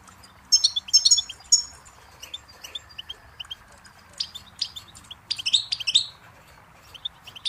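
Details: Goldfinch song in two bursts of liquid, twittering high notes separated by a quieter stretch, ending with a few sparse chips.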